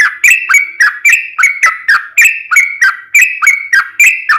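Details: Rapid gacor song of a sooty-headed bulbul, meant to prompt other bulbuls to sing back: crisp whistled notes sliding up in a regular beat, roughly four every second.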